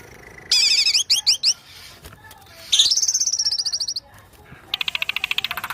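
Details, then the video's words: Song of a white-rumped shama: quick falling whistled notes, then a long buzzy rattling trill that sinks slightly, and a final fast metallic stutter after a short pause. "kicau murai"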